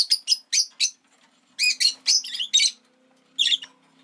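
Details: Rosy-faced lovebird kept indoors as a pet, egg just laid: a quick series of harsh chirps, then louder rasping bursts, with a faint low steady hum underneath.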